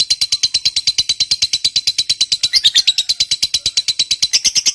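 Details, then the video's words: Fighter lovebird chattering a long ngekek bout to prompt other lovebirds to sing: quick, regular, shrill notes, about three a second, running evenly the whole time. "Suara Burung Lovebird Ngekek Panjang, PANCINGAN JITU Cepat Memancing Lovebird Macet agar BUNYI"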